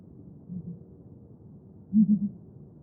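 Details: Southern ground hornbill, called Bromvoël and seen by the Xhosa as the rain bird, gives faint low booms followed by one loud, deep three-note boom near the end.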